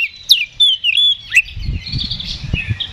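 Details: Fighting-mode Oriental magpie-robin in ngeplong style, used to provoke an answer: loud whistled, slurred notes rising and falling, then a thinner warbling run over low rumbling background noise.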